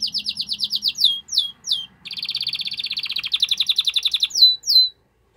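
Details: Canary singing strongly to stimulate the female to mate: quick repeated notes, falling whistled slurs, then a long dense buzzy trill and two final descending whistles.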